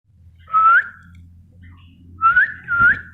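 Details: Spotted bulbul in full song: loud, clear whistled notes sweeping upward, one alone then two in quick succession, over a faint low hum.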